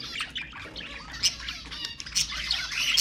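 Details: Budgerigars, pet birds, sounds played to stimulate other budgies: dense continuous chatter of warbling, squawks and sharp chirps from several birds, with low background rumble throughout.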